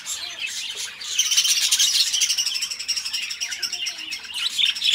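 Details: Two pet budgerigars begin softly, then burst into loud, fast buzzy chatter with rattling trills and high squeaks that continue to the end.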